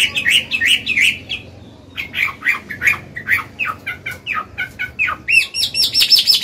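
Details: Chinese hwamei, an old bird in wild voice, singing to coach young birds and excite males; rapid slurred whistles and chattering notes pour out in pulses, ending with high, sharp repeated trills.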